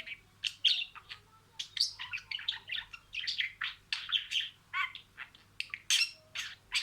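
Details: Pet budgerigar talking, stringing words in sequence: rapid scratchy chatter of clicks, buzzy notes and short squeaks in dense bursts, with brief pauses between phrases.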